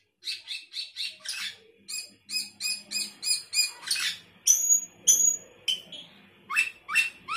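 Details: Active fill-in song from a sooty-headed bulbul: a long chain of short, bright, evenly spaced chirps, broken by a couple of sharp high whistles, then more chirping.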